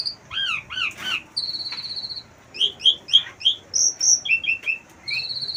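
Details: Asian pied starling kept on a house terrace, singing with material copied from wild birds: quick chirps, downslurred whistles, and a long high trill, all in varied, irregular bursts.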